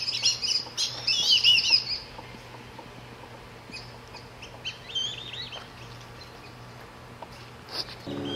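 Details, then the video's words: Flock of Black-bellied Whistling Ducks in central Florida calling loudly as they fly fast over a backyard at sunset, heading from roosts on a lake to feed in fields at night: high, squealing multi-note whistles, thick then scattered and fainter, over a faint low hum. "Black Bellied Whistling Duck Flock Calls"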